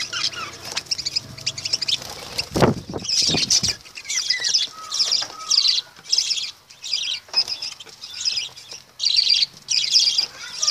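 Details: Piercing high chirping from lovebirds in repeated short bursts, one dull thump early, a few soft whistled notes between the bursts.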